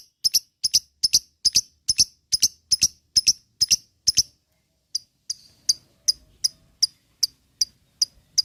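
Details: Lovebird chirping in lure material for ngekek singing: crisp, very high ticking notes, steady and rapid at first, then sparser and softer after a short pause.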